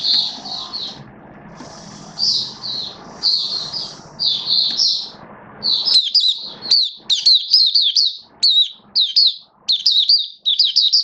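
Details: Hobby oriental white-eye in build-up form, recorded 19 September 2022, sings softer warbled phrases over background noise, then a lively burst of rapid, high, clipped chirps repeated many times.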